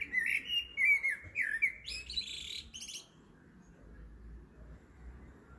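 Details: Evening blackbird song at 7.30 pm, a short series of mellow warbled notes sliding down, followed by thin high chittering twitters, then the phrase stops and only faint background hiss remains.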